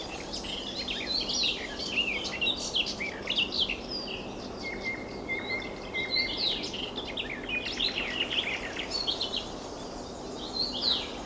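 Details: Garden warbler singing from bird cherry or higher in alder, hidden behind foliage and blossom; long, unbroken, rich babbling warble of fast varied notes continuing throughout, with a brief steady tone midway and soft background noise.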